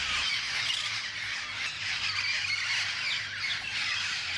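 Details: A small, thriving flock of yellow-headed Amazons at play in the morning squawks continuously in harsh, overlapping bursts. Several birds call together with no clear rhythm, and a low hum runs underneath.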